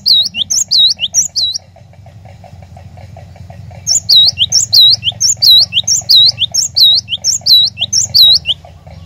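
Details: Lure song of a cinereous tit meant to get a caged bird singing along: a short run of high, ringing U-shaped whistles, a pause, then a long steady series of about a dozen swooping notes over a faint hum.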